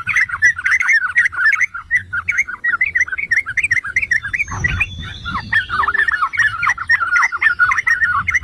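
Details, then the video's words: Yellow-vented bulbul (trucukan) song used as a lure to set other bulbuls singing: unbroken, lively chattering and gurgling notes, a faint high whistle midway, soft low background noise. "Pancingan dan Masteran Trucukan MEWAH"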